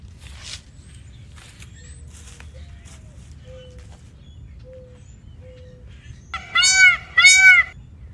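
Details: Peacock, a national bird: after a quiet stretch of faint chirps and soft whistles, two loud, nasal, wailing calls ring out back to back near the end.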